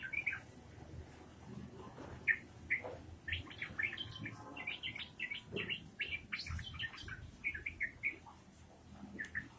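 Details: Yellow-vented bulbul singing a lively ropelan-style song: a long run of short bubbly whistled notes, mostly rising and falling chirps, tumbling one after another with brief gaps, over a low background rumble.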